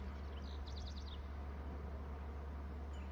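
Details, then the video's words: Bald eagle calls close by: a quick run of about five high, wavering, piping notes near the start, then quiet apart from one faint note near the end, all over a constant low droning hum. "Calls closeby"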